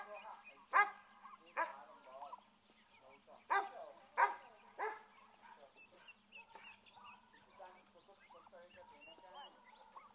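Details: Escaped turkey poults being herded back by a small boy give loud harsh yelping bursts, about five in the first five seconds, then softer rising peeps, with the child's voice mixing in.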